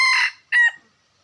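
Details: Wild red junglefowl from a 2021 recording finishes a crow, then adds a brief second phrase that slides downward before silence returns.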